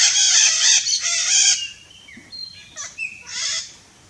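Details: Free wild red-shouldered macaw in its natural Brazilian habitat uttering a long, grating, noisy screech, followed by shorter harsh squawks and a thin whistle.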